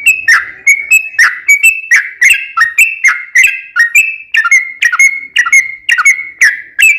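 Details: 'Ropel panjang' song of a yellow-vented bulbul, used as a lure so other bulbuls answer: a continuous series of bubbly, slightly falling notes delivered at about two per second.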